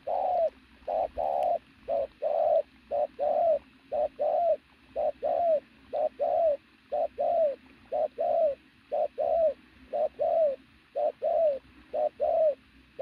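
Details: Sturdy decoy pigeon of a native breed cooing loudly, a long steady run of short clipped notes each followed by a drawn-out falling coo, roughly once a second.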